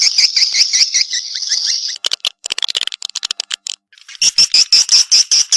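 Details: Response call of a swiftlet: a high, pulsed buzzy twitter, then a burst of sharp clicks and short chirps, ending with loud, rhythmic high chirps.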